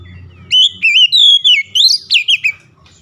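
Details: Oriental magpie-robin (kacer) song, offered as a remedy for a stressed bird: loud, clear whistled notes swooping up and down in quick succession, a rapid string of bright slurred phrases with a faint low hum beneath.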